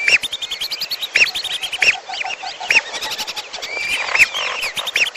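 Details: Lesser whistling duck calls combined with piolo calls as a trapping lure: loud, clear whistled notes, each bent up and down, spaced roughly a second apart amid fainter chattering whistles.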